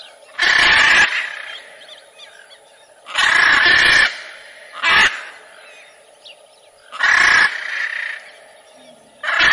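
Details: Macaw giving five loud, rasping squawks at uneven intervals of one to three seconds, with faint calling in the gaps.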